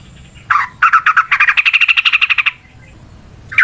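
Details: Lure song of a Yellow-vented bulbul (trucukan): a harsh opening note, then a long, fast, even chatter of about twenty bright repeated notes lasting nearly two seconds, and one final call.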